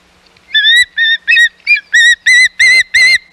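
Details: At the Hog Island osprey nest on 11 May 2021, as intruding ospreys appear: a steady series of eight loud whistled notes, evenly spaced at roughly three per second, growing slightly stronger toward the end.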